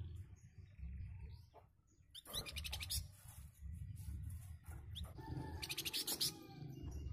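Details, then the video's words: Flamboyan bird reacting to other birds' voices, bursting into two harsh, rapid rasping phrases after a quiet start, over a low steady hum. "BURUNG FLAMBOYAN RESPON SUARA BURUNG LAIN.LANGSUNG NYAUT DENGAN KICAUAN KHASNYA.."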